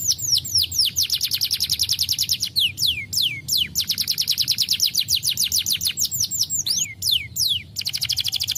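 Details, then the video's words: Persistent Starblue canary song, played to get idle canaries singing: long fast rolls of falling whistled notes, roughly three per second, with a few louder looping whistles between phrases. "Burung kenari Starblue gacor PANCINGAN AMPUH Kenari Malas bunyi"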